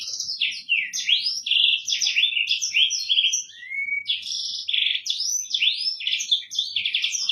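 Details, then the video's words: Tutor song of a Black-throated canary, an African bird: a continuous fast stream of high chirps, buzzy trills and down-slurred whistles, with one clear rising whistle near the middle, in clean quiet surroundings. "MASTERAN BURUNG AFRIKAAN / BURUNG BLACKTHROAT"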